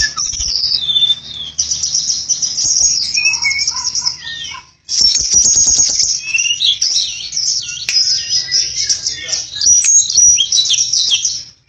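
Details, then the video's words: Flycatcher singing vigorously in long, high-pitched bursts of rapid twittering, scratchy trills and quick slurred whistles, with one brief pause midway and a faint low hum throughout. "Tledekan Gunung Gacor (Flycatcher Bird)"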